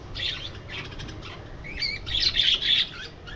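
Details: Budgerigars in an aviary, flying and interacting: bright, warbling chatter of overlapping chirps in quick bursts, a short broken burst early on, then a denser, louder run of rapid chirps in the second half over a faint low background rumble.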